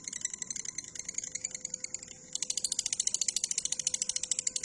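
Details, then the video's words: Lovebird giving a long ngekek trill, from a training recording for cage birds. A high, buzzy, rattling run of rapid notes continues, then grows louder and faster midway with more than three pulses per second. "LOVEBIRD NGEKEK PANJANG"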